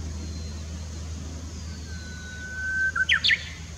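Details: Japanese bush warbler singing at Komatsugaike pond on 16 June 2016: a long, steady whistled note slowly rising, then a quick, loud burst of three sharp, falling notes at the end, over a low steady rumble of traffic.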